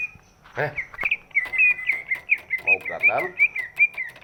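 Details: Large-bodied greater green leafbird whose voice is used to stir lazy birds into singing. It pours out a steady chain of bright, high whistled notes, while a human voice speaks briefly over the song.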